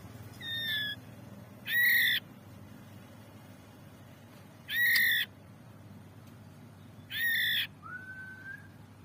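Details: Young spotted white-rumped shama, described as a fighter type, giving three loud, harsh, rasping bursts several seconds apart, plus a fainter note near the start and a short clear whistled note at the end, over low background hum.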